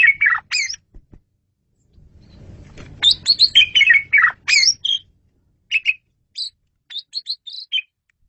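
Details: Asian pied starling masteran: loud, varied chirps and squeaky whistles in quick succession, a short stretch of low noise, then a dense burst of descending notes and scattered high single chirps.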